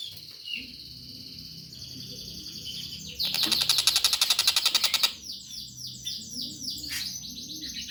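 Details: Young long-tailed shrike giving a burst of rapid, rasping repeated notes lasting about two seconds, surrounded by high chirping and whistled phrases.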